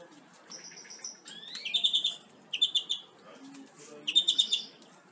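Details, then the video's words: Song of a European greenfinch meant as a tutor for captive birds: a thin steady note, a rising slurred phrase, then short dense trilled bursts. "Greenfinch Song"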